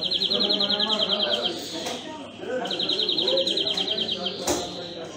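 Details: Greenfinch trilling twice, each a fast series of bright, rattled notes around one to one and a half seconds long, while people speak continuously in the background.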